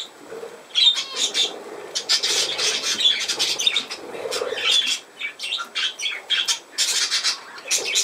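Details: Lively budgerigar on 17 November 2024, pouring out almost continuous high squeaky chirps and warbles in rapid irregular bursts throughout.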